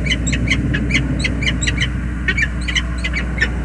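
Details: Male and female peregrine falcon greeting at the nest, USA: clipped, grating notes repeated in quick bursts amid heavy low-frequency background noise.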